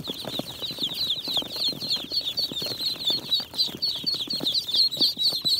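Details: Just-hatched Jumbo Pekin ducklings, several together in an incubator on day 28, giving a steady stream of thin, high overlapping peeps about four per second, with soft bumping and shuffling underneath.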